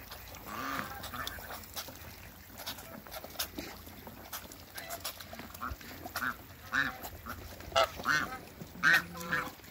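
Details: Backyard pair of domestic geese, a Toulouse male and an African female kept for breeding a hybrid, giving short nasal honks that grow louder and more frequent toward the end, over scattered clicks and knocks.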